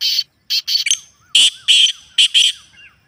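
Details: Harsh, buzzy Black francolin notes in a natural recording, repeated in quick pairs: about seven loud grating bursts over three seconds, with faint, looping, whistled notes weaving between them.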